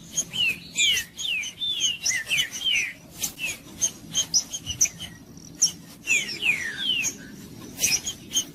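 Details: Green-winged saltator singing to encourage other birds to sing: dense series of downward-sliding whistled notes in bursts, mixed with crisp high accents and short gaps.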